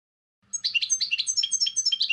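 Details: Short snatch of goldfinch song, recorded for playing to goldfinches: about one and a half seconds of fast, chattering high notes over a faint low hum.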